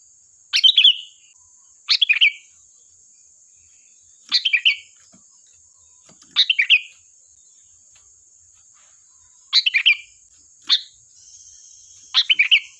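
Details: Sooty-headed bulbul singing lively, used as a lure: seven short bubbly, slightly descending warbled phrases at irregular intervals of one to three seconds, over a steady thin high-pitched whine running throughout.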